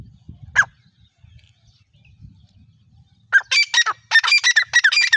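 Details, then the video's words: Grey francolin, known locally as white teetar, gives loud, harsh, ringing calls in a rapid, uneven series over the final two seconds. A single sharp note comes earlier, with a quiet low rumble in between. "White teetar voice | White Partridge voice | teetar ki awaz"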